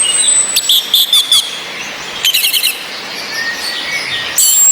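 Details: Ngecis calls of a female orange-headed thrush, meant to raise breeding drive in males stuck at soft twittering; bursts of rapid high chirps separated by pauses, with a long thin whistle and constant hiss of rain.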